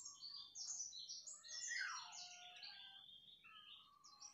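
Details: Yellow-vented bulbul in vigorous, rapid continuous song, recorded 29 August 2024: a quieter, tangled warble of high sliding and chattering notes, dense for about three seconds before thinning out, over soft low background noise.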